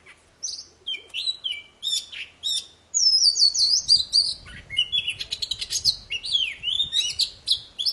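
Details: Full poci song for prompting silent birds to sing: short downslurred whistles at first, then a long stream of looping high whistles, rapid trills and scratchy chatter.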